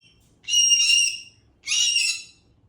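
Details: Parrot playing, giving two loud, harsh chirping calls, each about a second long and rich in high overtones, separated by a short pause over quiet background.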